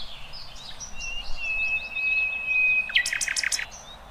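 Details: Wild birds singing in the open: a long, steady whistled tone held for about two seconds over a soft background chorus of high chirps, then a brief burst of loud, clipped notes near the end.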